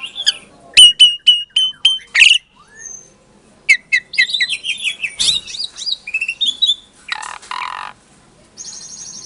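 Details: Asian pied starling bred in captivity in Klaten, Indonesia, singing to rouse quiet starlings into answering: a row of sharp repeated whistled notes, a short pause, then varied chattering phrases, a raspy burst and a buzzy trill.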